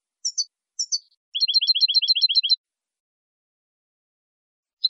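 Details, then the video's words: Saffron finch song used to teach captive birds: two descending high notes, then a quick, even series of about eight paired chips and a final faint note. No other sounds. "NUEVO CD JILGUERO CAMPERO PARA EDUCAR"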